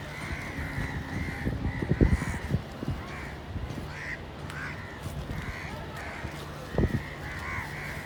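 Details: Crow calls come in short bursts of harsh caws, some doubled, spaced irregularly over steady low background hum, with a few sharp knocks near the start and again late.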